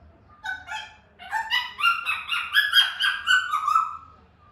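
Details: African grey parrot calling: a rising series of nasal, honking notes that build into a strained, buzzy chatter over about three seconds, against a quiet background hum.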